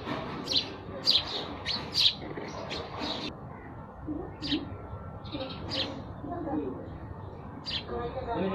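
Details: Sparrow chirps come in a quick cluster of sharp notes, then turn sparser and fainter with gaps between single chirps, over a low background hum that may hold distant voices.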